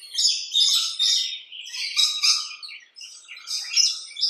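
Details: Harsh, buzzy chatter from rainbow lorikeets recorded in a backyard, a near-continuous run of rasping screeches with a short lull near the three-second mark.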